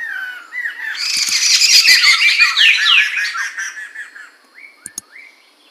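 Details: Poksay mantel or medan (Chinese hwamei) singing in 2021: a dense burst of loud, varied whistled and warbled notes with rapid slurred phrases, then short rising whistles and a couple of sharp clicks as it fades.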